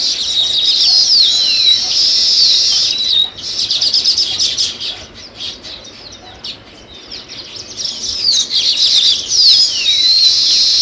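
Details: Busy chorus of sparrow chirps, rapid high tweets and quick downward-sliding notes overlapping continuously, easing briefly in the middle before building back up.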